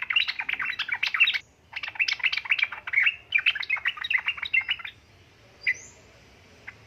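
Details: Yellow-vented bulbul female calling to a male: a long, almost continuous stream of rapid chirping phrases for five seconds, then a few isolated single notes in near silence.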